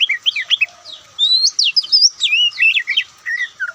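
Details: White-breasted Oriental magpie-robin pouring out loud, varied Ngobra-style song: a dense, fast stream of zigzagging whistles and chirps, several notes a second, ending in lower slurred whistles.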